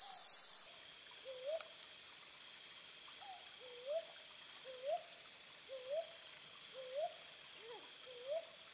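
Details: Brown boobook calling repeatedly with low, upslurred hoots, roughly one each second, set against a continuous shrill insect and cricket chorus.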